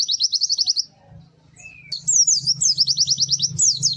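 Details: Pleci (white-eye) giving rapid high trilled phrases of downslurred notes, pausing briefly for a short rising whistle, then resuming with more varied twittering over a steady low hum.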